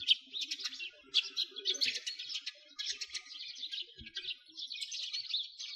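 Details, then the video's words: Winter flock of sparrows beside a frozen lake in a Moscow park, Russia, chattering in busy bursts of sharp high chirps, roughly one burst per second, a single low thump midway. "Sparrows singing"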